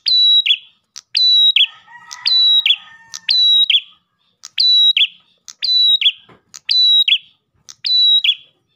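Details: Ash tailorbird repeating its lure song for other tailorbirds: nine click-whistle-buzz phrases at a regular pace, with a brief softer warbling in lower pitch near the start.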